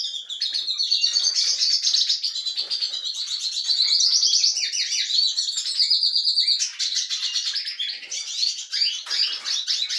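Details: European goldfinches in a breeding setup, getting lively: a fast, unbroken, liquid twittering song of high tinkling notes and trills, possibly several birds singing together.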